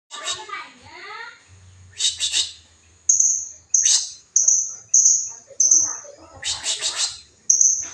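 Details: Blue-crowned hanging parrot lure call used to draw in rivals: very high, thin piercing notes, short sharp chips and brief whistled bursts spaced irregularly, roughly every half second to a second, over a steady faint high tone.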